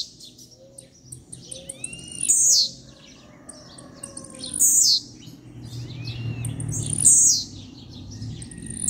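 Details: Blue-black grassquit, a captive-bred bird from a breeder, singing short, sharp, high buzzy bursts that sweep downward, repeated about every two and a half seconds. Softer chirps from other birds and a low background hum are heard between phrases.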